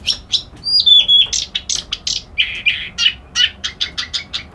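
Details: Reed warbler in lively song: a rapid, varied chatter of harsh scratchy notes mixed with a few pure whistles, then a run of short clipped syllables repeated quickly and fairly evenly.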